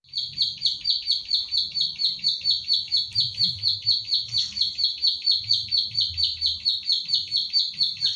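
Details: Plain prinia, locally called ciblek sawah or klik klik, a kept bird in central Central Java, recorded on a phone as a training recording for other birds: high, sharp clicking notes repeated about twice a second in a steady unbroken series.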